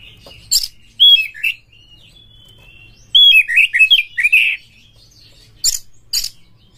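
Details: An oriental magpie-robin sings in short phrases of clear whistles sliding down into bubbling, buzzy notes, with quiet spells between them and sharp clicks near the end. The song serves as a lure that makes magpie-robins sing and fight.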